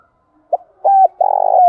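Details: Lure call of a spotted dove, 'thổ đồng' voice: one brief clipped note, a flat coo, then a long tremulous purring coo easing downward, the phrase cut short.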